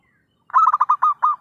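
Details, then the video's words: Trapping lure call of a zebra dove in full voice: one short rolling phrase of about seven throaty, pulsed coo notes that slow slightly toward the end, in a quiet background. "suara pikat perkutut gacorr....!!"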